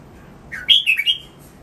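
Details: Cage-kept red-whiskered bulbul giving a single short song phrase for training: a low note sliding upward into three quick, sweet, slurred whistles, then silence.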